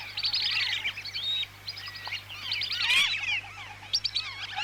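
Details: A lure recording of whistling ducks from Lampung, Indonesia. Bursts of clustered, shrill whistled notes with curving pitch come from several birds at once, separated by brief quieter gaps.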